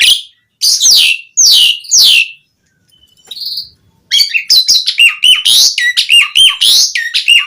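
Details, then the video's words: Asian pied starling singing vigorously, a lure to make other starlings answer: three harsh, buzzy downslurred bursts, a pause with a soft whistle, then a fast run of chattering, whistled notes. "Suara Jalak Suren Gacor Ocehan Ampuh Buat Pancingan Burung Jalak Agar Langsung Nyaut cpt Full Isian"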